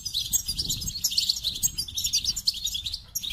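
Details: Goldfinch singing a continuous, fast stream of high tinkling twitters and chirps with no pauses, bright and jangly throughout, over a faint low rumble.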